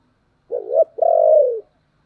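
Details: Spotted dove coo played to draw wild doves into cooing back: a short wavering low note, a brief gap, then a longer sustained hooting note that slowly falls away, with clean silence around it.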